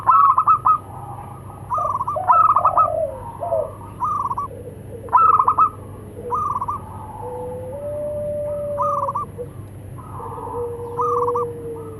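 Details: Male and female local zebra doves calling back and forth; repeated rapid stuttering coo phrases alternate with softer, lower drawn-out coos from a second bird over twelve seconds, with a faint low hum underneath.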